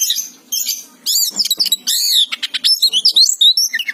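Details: Oriental magpie-robin giving gacor song, a loud kacer performance of arched whistled slurs, bright rising notes and clipped chips, delivered in rapid succession after a short quieter opening.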